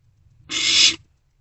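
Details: At night in an owl nest box, an owlet swallowing a freshly delivered rodent gives a single breathy, rasping hiss lasting about half a second, loud and steady, with quiet before and after.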